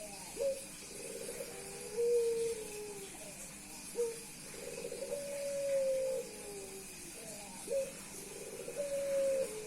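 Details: Cooing male Puter Pelung dove displaying to a female, calling without pause. Quick throbbing trills lead into drawn-out level notes, with a short clipped coo between phrases. The pattern repeats roughly every three to four seconds against faint background hiss.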